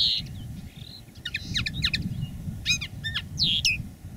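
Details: Live song of a decoy common linnet, one of two singing in different styles: brief twittered notes and a few slurred whistles heard over constant low-pitched background rumble.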